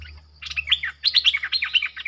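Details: Streak-eared bulbul lure bird calling wild birds near it: a short opening phrase, a brief pause, then a fast series of loud, bubbly chirps rising and falling, repeated about eight times in one second, over a low hum.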